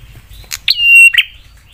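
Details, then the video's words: Prinia lure song said to provoke other prinias into replying: a sharp chip, then a long steady high whistle with a buzzy ending, given once. "Prenjak suara PEDAS bikin prenjak lain cepat nyaut dan emosi"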